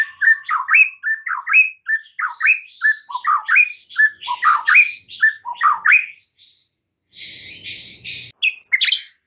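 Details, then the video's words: White-rumped shama in full song, meant to provoke a stressed shama into fierce singing: a rapid, varied stream of short rising and falling whistled phrases, ending with a scratchy burst and a high squeak. "PANCINGAN Murai Batu satu ini mampu Atasi Murai STRESS seketika jadi GACOR NGAMUK"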